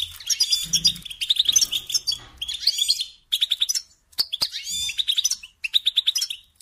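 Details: Kept European goldfinch delivering tinkling, twittering song in bursts of quick repeated notes and short rattles, broken by brief pauses, with faint low thumps underneath.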